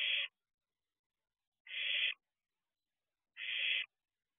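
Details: Owlet barn owl at a nest box in the night: three breathy, rasping hisses, each under half a second, evenly separated by about one and a half seconds of quiet.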